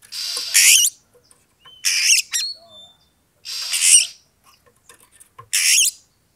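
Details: Oriental magpie-robin (kacer) provoking song to incite a rival to fight. Four loud harsh rasping bursts, each under a second, spaced about two seconds apart, with a short clear whistle and a soft low note between them.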